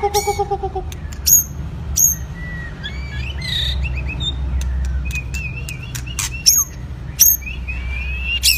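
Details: White-rumped shama, a wild-caught bird of two seasons in training: a low pulsed rattle opens, then sharp high chips, a rising whistled phrase and warbled notes over a steady low hum.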